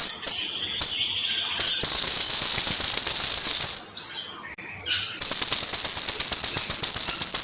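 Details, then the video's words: Energetic blue-crowned hanging parrot song from a long recording used to teach birds to sing: short high chips, then long, loud, thin buzzing trills separated by a near-silent pause. "Kicauan Suara Burung SERINDIT GACOR !! Durasi Panjang || Sang Guru Vokal"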